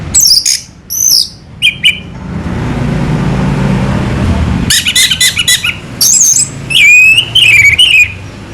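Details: Indonesian orange-headed thrush (anis merah) singing loudly: high descending whistles and buzzy notes, a pause filled with rushing noise, then rapid chattering notes and a series of rich, warbled, slurred whistles.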